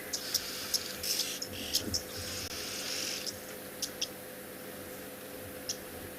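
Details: Oxpeckers on buffalo on a very hot afternoon in a South African game reserve, 13 June 2021, mouths open to cool, give sharp, high, electronic-sounding ticks and short hissy bursts at irregular intervals over a steady hum.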